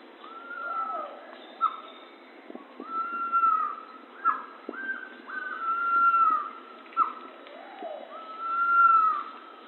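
Pavonine Quetzal giving long, clear whistled notes that swell and fade, each lasting over a second, repeated every few seconds, with sharp clicks and lower calls between.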